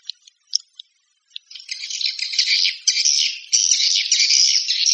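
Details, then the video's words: Swiftlet lure calls: a few isolated sharp ticks, then from about one and a half seconds a steady, loud, buzzy chattering that continues to the end. "Suara Walet Panggil"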